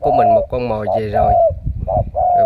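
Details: Spotted dove, a wild-caught decoy bird known as a super cooer; short and drawn-out falling coos in quick succession, heavily overlapped by a man's speech.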